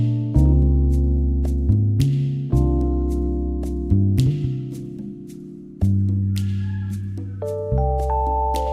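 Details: Plucked guitar chords ring and decay in a gentle, tender piece, with no bird or other animal voice.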